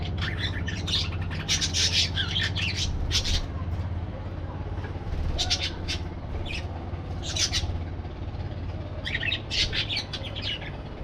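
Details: Aviary parakeets calling in scattered bursts of shrill chirps and squawks, several birds overlapping, with a constant low rumble beneath.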